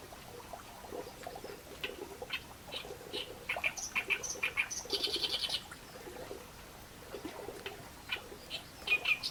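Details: Reed warbler song given in scattered bursts: short sharp chirps and a brief buzzy rasp midway, with a low background rumble.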